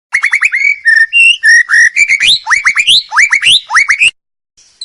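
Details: White-rumped shama song, used as a training or therapy recording for a champion bird: a fast, loud run of rising, upswept whistles and sharp chirps for about four seconds. The rain is not audible, and the song ends abruptly.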